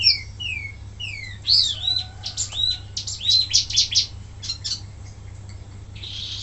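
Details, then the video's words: Singing wambi mini used to train other birds, opening with three falling whistles, then loud sharp chirps and rapid stacked notes, fading into scratchy buzzes over a steady background hum. "suara asli wambi mini tembakan mantap buat masteran"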